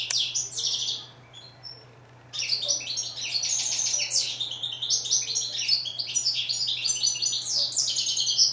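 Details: A goldfinch, steyla in Morocco, opens with a twittering burst, pauses over a second of near quiet, then launches into a long, dense stream of tinkling and buzzy notes over a steady low hum.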